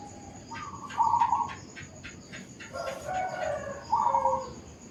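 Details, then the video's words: Zebra dove in a suburban housing complex giving two rapid staccato coo phrases about three seconds apart, with a regular ticking series and a louder, harsher fowl-like call from another bird between them. "Efek Suara Burung Perkutut di Komplek Perumahan | Perkutut Bird Sound in Suburban Area"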